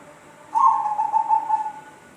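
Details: Unusual call of a zebra dove: a single soft whistled phrase lasting over a second, wavering in quick beats and easing gradually lower in pitch, against quiet steady background noise.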